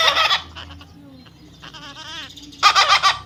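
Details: Young parrot during taming, opening with a loud raspy squawk, then quiet warbling, wavering whistled notes, then a second harsh grating squawk burst near the end.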